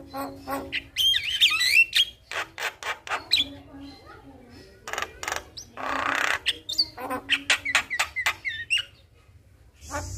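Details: Javan myna song used as a lure to make a quiet myna sing: harsh rapid chattering bursts mixed with sharp rising and falling whistles, several pauses, fast irregular rhythm.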